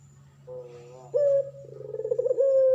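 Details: Male pelung turtle dove, in energetic singing form, used as a tutor recording for training other birds: a low, steady tonal coo followed by a louder held note, then a rough, throbbing, pulsed phrase ending in a sustained tone.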